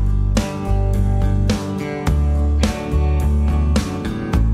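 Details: Strummed acoustic guitar music with a steady rhythm and deep bass notes, with no animal sound heard.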